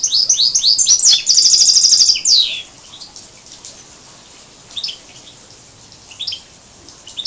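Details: Major goldfinch and canary hybrid singing, 2012: rapid rising twitters run into a loud, even buzzing trill that drops away in a falling slide, followed by a few soft, scattered chirps.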